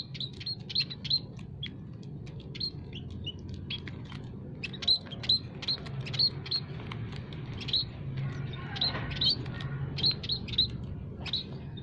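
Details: Munias (kaji, peking and Javan munias) in an aviary, used as a lure for trapping: rapid high thin chirps and tweets repeated in clusters over a steady low hum.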